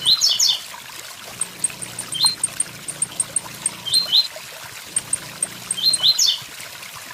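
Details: Blue-black grassquit in the "tui tui zel zel" song style, softer here: brief rising note pairs and a few fuller phrases, with regular thin high ticks between them. Waterfall rush and a low hum continue throughout.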